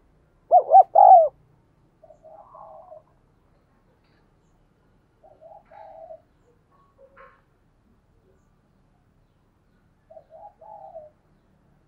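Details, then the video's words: Spotted dove in thúc gù cooing, used to train decoy doves and attract wild doves. One loud phrase of double hoot and long coo opens, followed by several scattered bouts of soft, muffled gurgling coos. "Tiếng Chim Cu Gáy Thúc Gù Dùng Tập Mồi, Bổi Nghe Xiêng Gáy"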